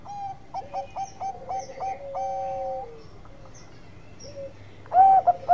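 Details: Bangkok-type zebra dove (perkutut) in full lure song to prompt other doves: a quick run of short cooing notes ending in a long level note, then a quiet gap and a sudden loud burst of coos from a nearer bird.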